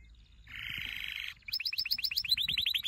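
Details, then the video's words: Canary singing a training song: a steady buzzy rattling roll, then a brief break and a quick series of bright upward-sweeping whistled notes repeated several times a second. "Your canary will NEVER STOP SINGING With this training song"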